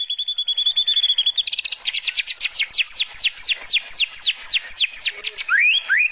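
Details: Young wild white-rumped shama in forest, lured out, delivering a canary-like song burst: a steady high whistle, then fast rattling notes becoming rapid repeated descending whistled sweeps, about three per second, ending in two rising slurred notes.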